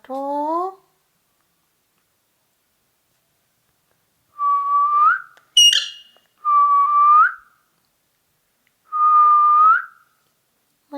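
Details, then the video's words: Ring-necked parakeet whistling the same upward-curling note four times, spaced a couple of seconds apart, with one brief harsh squeak between them. "Ringneck Talking Parrot"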